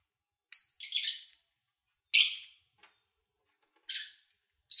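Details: Lovebirds recorded in early August 2019: sparse, sharp high chirps, a doubled call near the start, then single shrill notes separated by a second or more of quiet.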